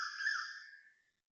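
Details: An Asian koel calls before dawn at 5.41am on 18 November 2025 beside a housing block in Toa Payoh, Singapore: one loud, rising then falling whistled note that fades out within about a second.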